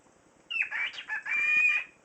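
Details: A cockatiel speaks in a thin, raspy voice, a quick run of mimicked French words ("c'est un beau petit bébé") lasting under two seconds.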